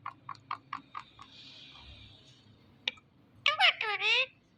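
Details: Indian ringneck parrot kept as a pet, mimicking speech: a row of sharp clicks, a short pause, then a burst of harsh, voice-like syllables with wavering, falling pitch.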